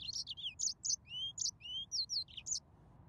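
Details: A yellow-fronted canary sings a short burst of bright chirps alternating with longer rising whistled notes, about a dozen notes in under three seconds before stopping.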